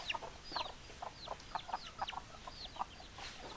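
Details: Hens clucking among chickens: short clucks about twice a second mixed with high, sliding peeping notes from several birds, over a steady hiss.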